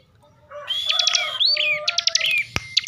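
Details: After a moment of quiet, a kept bar-winged prinia from Central Java breaks into agitated ngebren song: sliding whistles and rapid rattled notes, with a sharp click near the end.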